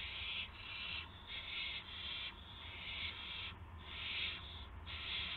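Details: Nest owl at evening, 8 PM on 18 March 2016, as a gopher arrives: a string of breathy, noisy screech-hisses of uneven length, about one per second, over low electrical hum.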